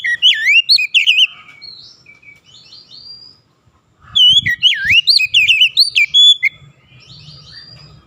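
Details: Two bursts of Oriental magpie-robin song with swooping whistled notes in quick sequence, separated by a quiet gap, with faint low rumbles behind them.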